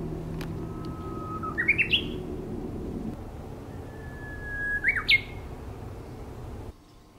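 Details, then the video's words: Two bush warbler songs, each a sustained whistled note that breaks into a short burst of rising, jerky notes at the end. A constant low rumble runs underneath. "휘파람새 울음 소리 1시간 Ver | Bush warble Song"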